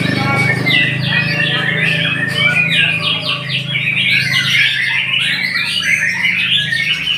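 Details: White-rumped shama pouring out a continuous, varied song of sweeping whistles and harsh chattering phrases over a steady low background hum.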